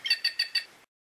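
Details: Curl-crested jay from Brazil's fauna, four quick harsh nasal notes in under a second, evenly spaced and rich in harmonics, then silence.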